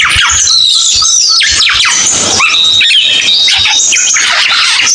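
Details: Cucak keling singing: dense, high chattering phrases with rapid downslurred whistles and squeaky notes, continuous and loud without pause.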